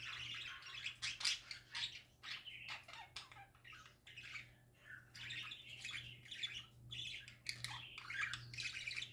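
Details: Happy pet parakeets sing indoors in a steady stream of scratchy warbles, squawks and short chirps from more than one bird. The sound is fairly quiet, and a low steady hum runs underneath.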